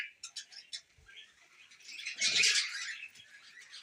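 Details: Tame pet budgerigars eating millet: a few short, sharp high chirps in quick succession, a pause, then a louder burst of dense, scratchy warbling chatter that fades into soft twittering.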